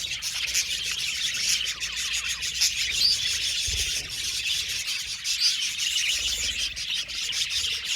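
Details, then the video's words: Aviary budgerigar colony giving steady, busy chatter: many overlapping high chirps and warbles, with a few sharp squeaky notes and a soft low thump near the middle. "Budgies singing and chirping sound"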